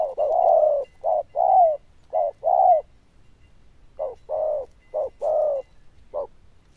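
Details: Zebra dove known for a loud bell-like tone and good cooing, giving bursts of short and drawn-out coos, then a pause of about a second before another run of rolling notes.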